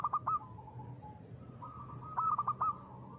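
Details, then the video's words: Local zebra dove singing 'ngristal' style as a lure: two short bursts of rapid rolling coos, the first at the start and the second near the end, with a low hum behind. "perkutut lokal gacor.suara ngristal ampuh buat pancingan."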